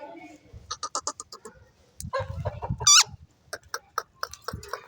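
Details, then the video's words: Talking pet parrot, called mian mitho: quick runs of short clicky, nasal notes, then one loud harsh squawk near the middle and more scattered chattering notes. Low murmuring sounds in the background. "talking 🐦 parrots"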